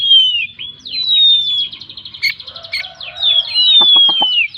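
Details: Kacer (Oriental magpie-robin) delivering a 'gacor full isian' song: long, pure falling whistles alternate with rapid rattling trills of repeated notes, plus a few short clicks near the end.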